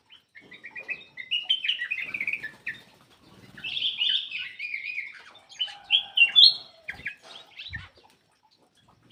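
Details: Song of a black-crested bulbul, played to prompt reluctant birds to sing. Three long bursts of warbled, whistled phrases run together, with brief gaps between them and faint low rustling.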